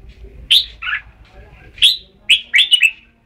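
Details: Red-whiskered bulbul in Thailand singing brisk, chirpy whistled notes: a quick pair, a pause, then a single note and a rapid rippling run of three or four notes near the end; low hum underneath.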